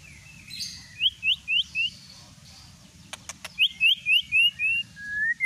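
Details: Lure song of the white-rumped shama, meant to provoke singing: series of four or five high rising whistled notes repeated quickly, broken by a few sharp clicks, ending in a long drawn-out whistle.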